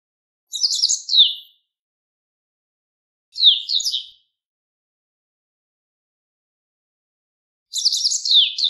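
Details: Song of a Japanese wagtail at a river bank, three short phrases of quick, high twittering chirps with descending slurred notes, roughly a second each, spaced by quiet pauses of two to four seconds.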